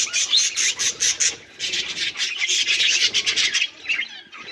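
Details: Budgerigars in steady chattering song: continuous high, scratchy twitters and chirps pulsing in quick bursts, fading briefly near the end.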